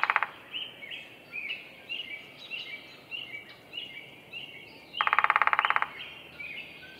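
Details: Downy woodpecker at Roberts Bird Sanctuary, Minnesota, drumming: the tail of one roll opens the recording, then a fast, steady burst of taps under a second long, while other birds chirp and twitter steadily throughout.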